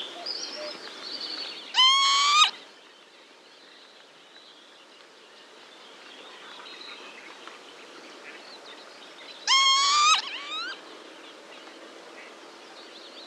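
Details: Northern lapwing pair giving alarm calls to young: two harsh, wheezy, slurred cries about eight seconds apart, each rising then dropping, with soft background chatter of other birds between.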